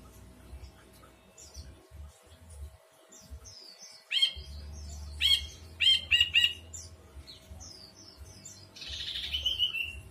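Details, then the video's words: Ashy bulbul singing: a cluster of loud, clear whistled notes repeated in quick bursts, then a buzzy trill, over constant thin high twittering from other birds and a low steady hum. "Kicau Burung Brinji Kelabu"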